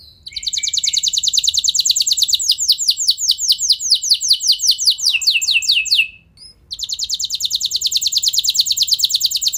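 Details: Long rolling canary song for stimulating other canaries: a sustained rapid trill of high descending notes lasting six seconds, a brief pause, then another dense even trill.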